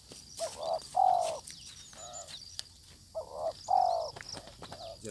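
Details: Spotted dove lured with a decoy meets a fierce wild dove. Two matching low phrases, each a short coo then a longer burry croo, about three seconds apart, with weaker coos between and faint high insect whine.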